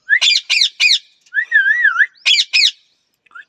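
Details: A parrot gives three harsh rasping squawks, a long warbling whistle that wavers up and down, then two more squawks.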